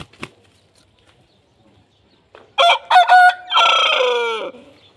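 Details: A slowed Aseel rooster crow following near silence: a few short stuttering notes, then a long, drawn-out harmonic note that slides gently downward and fades.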